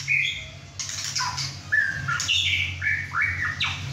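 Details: Male White-rumped Shama, 6½ months old and about 11 inches, just through his first moult, singing at home alongside other shamas: a loud, varied run of whistled slurs, rising and falling sweeps and harsh buzzy notes, under a low indoor hum.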